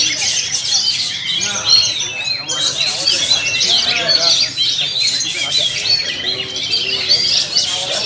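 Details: Pair of Sumatran-origin oriental magpie-robins (kacer) kept by a bird-club member in South Cikarang, Indonesia, in a duet; busy overlapping warbles, sharp chirps and rising whistles pour out almost without pause, with a brief lull midway.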